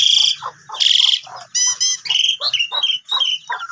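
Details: Asian pied starling song used as a lure for starlings that have gone quiet, opening with two harsh buzzy rasps followed by rattling notes and quick descending whistles.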